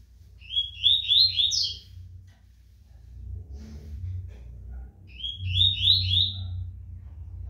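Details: Tournament-kept Rusty-collared seedeater, called fast and strong, sings two rapid phrases of high buzzy chirps several seconds apart, each a quick run of slurred notes; quiet gap between with low rumbling background.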